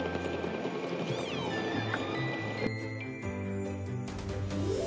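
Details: Jingling bells over cheerful music fill the recording, with steady tones and a brief sliding whistle-like note; no animal voice is heard.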